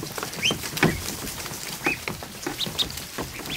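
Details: More than 100 newly hatched ducklings in a kiddie pool inside a barn in the afternoon. Scattered, high, rising peeps come through between soft splashing and pattering sounds.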